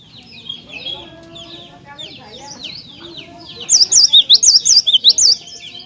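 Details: Cinereous tit singing loudly to provoke other tits: a few seconds of soft mixed chirping, then a crisp series of about nine swooping whistles alternating between higher and lower pitch.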